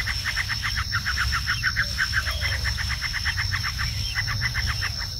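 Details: Bar-winged prinia, the Javan ciblek, singing a lively rapid series of short bright notes repeated about six per second in two bursts, over a steady high electronic whine and low background rumble.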